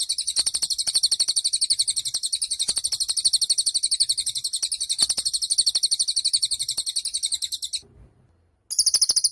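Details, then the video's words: Cililin bird singing energetically for use as a master song for songbirds: a long, sharp, rapidly pulsed high trill of almost eight seconds, a short silent gap, then the trill starts again. "Suara Cililin Burung Gacor"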